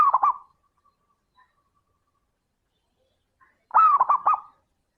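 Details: Zebra dove song played as a lure for other doves: a rolling cooing phrase ends, quiet follows for three seconds, then another loud phrase of quick gurgling coos with a rising first note.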